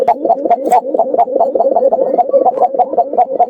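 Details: A Gobindo Khoka pigeon, kept at home for its call, gives a low rolling coo pulsing about five beats a second without a break; such birds call continuously up to a minute, likened to a jungle fowl.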